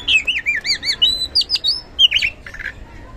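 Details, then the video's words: Oriental magpie-robin in gacor ngeplong style, played to make lazy birds answer: a short run of looping, wavering whistles, a few sharp upward notes, and a harsh chatter at the end. "Pancingan Kacer Gacor Ngeplong | Cocok Buat Memancing Kacer Yang Malas Bunyi Auto Respon"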